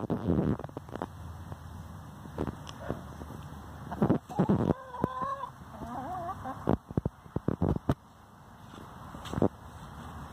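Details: Free-range domestic hen complaining, giving a few wavering, nasal drawn-out notes in the middle of the recording, surrounded by loud thumps and handling bumps.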